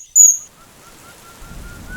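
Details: An Oriental dwarf kingfisher in the Western Ghats, India, during monsoon showers, vocal while a pair chases through thick forest, gives one shrill, very high, thin squeak of about a third of a second, then faint soft tones over a low patter of rain.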